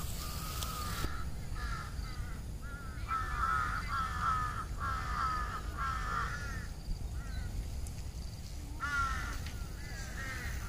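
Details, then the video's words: Crows in treetops around their nests before dark call repeatedly, a steady run of rough, nasal caws roughly every half second with short pauses, over low background rumble. "សំបុកសត្វក្អែក ជាមួយសំលេង នៅពេលល្ងាច"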